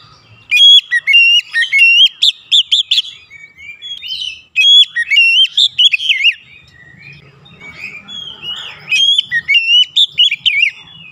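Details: Oriental magpie-robin singing aggressively as a provoking lure, pouring out rapid bright whistles, sweeps and chattery notes in three long bursts with brief gaps, some soft background noise in the quieter middle stretch.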